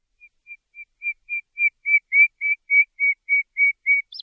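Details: Nightingale song phrase: a long series of pure whistled notes repeated about three times a second, starting soft and swelling steadily louder, ending in a brief scratchy flourish.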